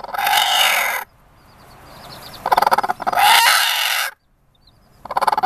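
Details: A broody Buff Orpington hen sitting on six fertile eggs in summer growls at the camera: harsh, noisy bursts of growling and hissing, each about a second long, with short quiet gaps between.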